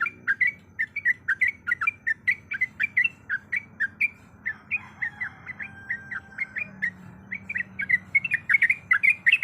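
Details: Sooty-headed bulbul in long rapid song with varied fill-in notes: fast bubbly phrases, then a few drawn-out whistled notes midway, before the quick chattering phrases return.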